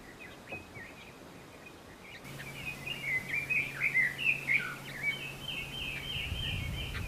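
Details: Red-billed leiothrix, an Asian bird introduced to the Hawaiian Islands, also called Peking nightingale, delivers a fast warbled phrase of quick, tumbling whistled notes lasting about two seconds, over steady environmental noise and a low hum.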